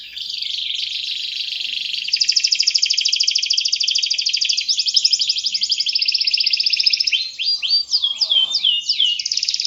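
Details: Canary in full song, used as a lure for training other birds: long fast buzzy trills and rolled phrases, then a burst of sharply swept whistled notes near the end, with a faint lower murmur.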